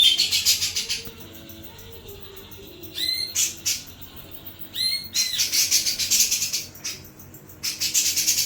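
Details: Sooty-capped babbler singing: bright, upslurred whistled notes in short stacked bursts near three and five seconds, set between stretches of fast, steady, hissy ticking pulses.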